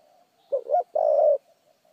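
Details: Spotted dove giving a fast 'thúc gù' coo: a short two-note opening followed by a longer, steady, low hollow coo. The surroundings are otherwise quiet.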